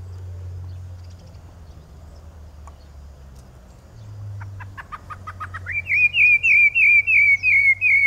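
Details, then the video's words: Rufous-bellied thrush in strong song: quiet background hum, then a quick stuttering burst of short rising notes that leads into a string of loud, clear, down-slurred whistles delivered about twice a second. "CANTO FORTE DA SABIÁ LARANJEIRA"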